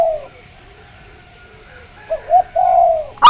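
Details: Zebra dove lure recording used to get birds singing. Mostly quiet, low, falling coos with short soft notes, cut off by the start of a loud ringing burst at the very end.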